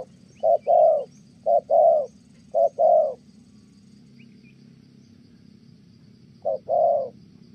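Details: Spotted dove from Kon Tum giving a good 'thổ' style coo, in a dove-trapping setting. Paired mid-pitched hooting notes, a short note then a longer one, repeated three times with a pause before a fourth pair. Quiet background.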